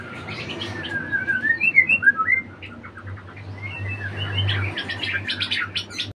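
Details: Magpie-robin, a retired contest champion, sings looping clear whistles that dip and rise, then shifts to a fast series of sharp, repeated chip notes near the end, with a faint low hum in the background.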